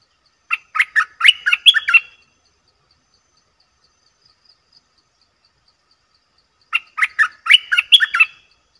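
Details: A bulbul recorded to lure wild birds calls in two short, fast sequences of slurred, chattering notes, separated by about five seconds of quiet.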